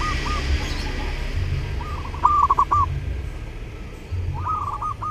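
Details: Zebra dove singing during the Lebaran holiday, a recording for training other birds: two separate quick phrases of bubbling, cooing notes several seconds apart against a constant low rumble.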